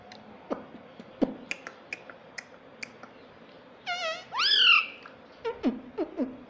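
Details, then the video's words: Pet parrot said to talk, calling mummy and papa: soft taps and clicks, then a wavering tone and a loud arched, rising-then-falling syllable in the middle, followed by a few low, dull knocks. "parrot talking mummy papa"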